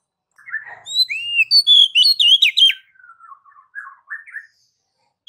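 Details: Oriental magpie-robin ngeplong master song, used to get other magpie-robins singing: soft opening notes, a loud burst of rising whistles and buzzy trills, then quieter lower twittering.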